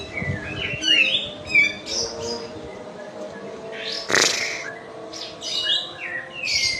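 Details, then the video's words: Medan kapas tembak white-eye in fast, spicy-sounding song: clusters of thin high chirps and short downslurred whistles, broken by one loud broadband burst midway, over low background hum. "KAPAS TEMBAK MEDAN GACOR ISIAN SUARA PEDAS NGEROLL SPEED NEMBAK EDAN LEPAS TROTOL"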